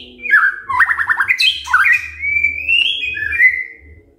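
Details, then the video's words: White-rumped shama morning song to provoke other shamas into singing: a rapid rising trill, a high slur, then a long gradually rising whistle fading out. "Pancingan PAGI-PAGI AGAR MURAI GACOR❗ murai diam pasti ikut NYAUT EMOSI❗❗"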